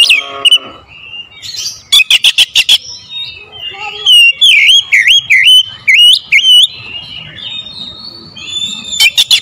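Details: Long oriental magpie-robin lure song: rapid harsh chatter bursts, a string of dipping, bouncing whistles, more scratchy rattles and a final sharp burst, loud throughout.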